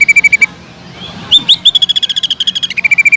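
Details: Cucak ijo (greater green leafbird) trilling rapidly, pausing, then giving two quick upward-slurred whistles before a fast even trill that steps from higher to lower pitch; lure song for rival leafbirds.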